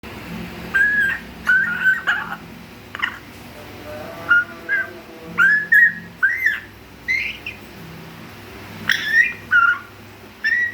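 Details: A three-month-old African grey parrot kept in an aviary cage, learning to whistle: short whistled notes, some flat and some rising or wavering, given in bursts every second or so, with a low steady hum behind.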